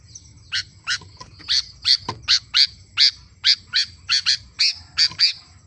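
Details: Sooty-headed bulbul singing vigorously, a steady series of crisp, ringing chirps, some doubled, about three per second, with one lower note near the middle and a soft background hum.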